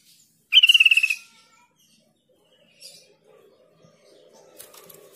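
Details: Lure call of a Sooty-headed bulbul, played so silent untrained bulbuls reply quickly. A single loud, fast-pulsed phrase drops slightly in pitch, followed by near silence and a few faint distant chirps.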